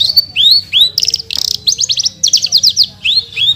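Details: Horsfield's bush lark (branjangan), a caged songbird recorded as a tutor, sings loud upswept whistles, then fast trilled rattles and stuttering high notes in the chattering 'gacor full tembakan' style; faint hum beneath.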